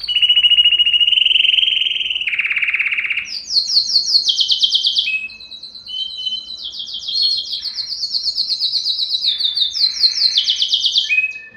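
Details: Canary song used to excite males and females for mating: a lower rolling trill, then long series of very high rapid trilled phrases, sweeping up and down, delivered almost without break.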